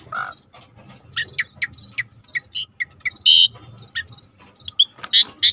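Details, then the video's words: Actively singing starling in a tutor recording: scattered sharp chirps and whistled notes, some buzzy and harsh, over a low background rumble. "Suara jarak Suret gacor /the sound of the starling suret gacor masteran"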